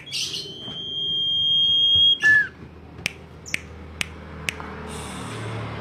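A Common Iora gives one long, level whistle held for about two seconds, then a short lower note, followed by a few sharp ticking clicks.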